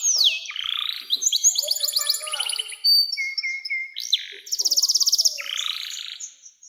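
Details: Canary singing a long song used to prompt young canaries to sing and to tutor other birds: varied high phrases of rapid trills, sliding whistles and buzzy rolls, changing every second or so.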